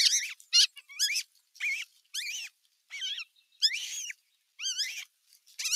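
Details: Older osprey chicks squabbling at nest no. 1 on 15 June 2023, with an adult watching nearby: shrill, whistled, rising-and-falling squeals in quick bursts, about two a second, with pauses between.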